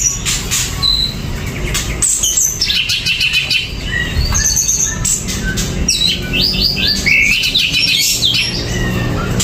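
A greater green leafbird pours out a rich, varied song of quick whistles, chirps and buzzy rising notes, with steady low background rumble throughout.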